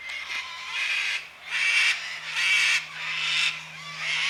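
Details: Cockatoos making noise around 5 pm on a quiet Sunday afternoon during daylight saving time: four long, harsh, raspy screeches, each close to a second long, with short gaps between them and a faint low hum underneath.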